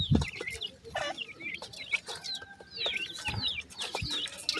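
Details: Black francolin (kala teetar) chicks calling their mother give a busy chorus of thin, high peeps, some rising and some falling, overlapping rapidly, with a few soft low thumps beneath.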